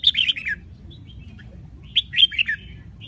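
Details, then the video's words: A caged red-whiskered bulbul from Bình Định, Vietnam, sings two quick bursts of bright, bubbly, descending whistled notes about two seconds apart, with a soft chirp between them. "Chào mào Bình Định hót quá hay"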